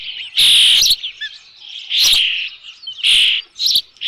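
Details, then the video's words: Osprey at a nest holding a fish, Dunrovin Ranch, 3 June 2018 around 5 PM. Three strong, shrill whistled calls sound roughly a second apart, with faint chirping between them. "Dunrovin Ranch Osprey Nest Video_2018-06-03_174622-fish 5.02 PM"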